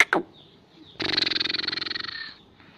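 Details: Black francolin of the Pakistani Kohati type, angry: two sharp notes, then a harsh, rasping, rapidly pulsed buzz lasting over a second before fading.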